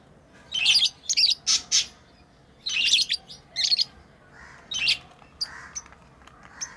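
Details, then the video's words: Pet lovebirds chirping while they play: runs of rapid, piercing high notes in two busy groups, then softer scattered chirps and low murmurs toward the end. "Lovebirds playing & Chirping sounds"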